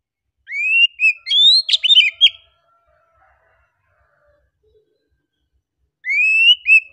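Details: Oriental magpie-robin in easygoing song: a rapid burst of rising whistles, slurred chirps and sharp clicks lasting two seconds, a long pause, then the phrase begins again with a rising whistle.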